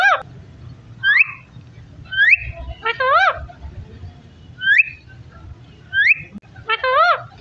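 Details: Talking parrot giving short rising whistles alternating with wavering, voice-like harmonic calls, repeated in a similar order twice over about seven seconds, with low background hum.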